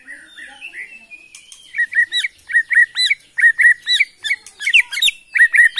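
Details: Borneo white-rumped shama from the Kalimantan forest delivering a run of sharp repeated notes, several per second, with higher flicking accents, after a soft warbled opening.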